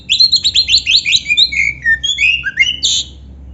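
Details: Oriental magpie-robin (kacer) singing a full song with canary-song filling, kept as a training recording. Fast bright chirping: about a dozen quick, high, falling notes in a rapid burst, then looser whistled slurs and a buzzy note at the end.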